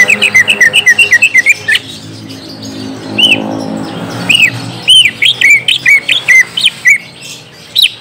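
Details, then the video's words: Green leafbird song used as a lure to get a young, untrained bird to answer: bright, clipped whistled notes in rapid bursts, a fast run at the start, then looser, rising and falling phrases, with faint background hum. "Pancing cucak ijo bakalan / mh langsung nyaut bunyi"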